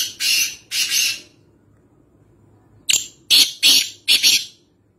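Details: Black francolin from Nawabshah uttering loud, scratchy, high-pitched notes: two drawn-out grating calls, a pause, then a rapid run of four clipped, rasping notes.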